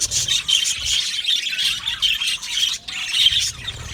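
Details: Aviary budgerigars in a colony give a stream of shrill, squeaky chirps and warbles in quick bursts, with one short near-silent break near the end.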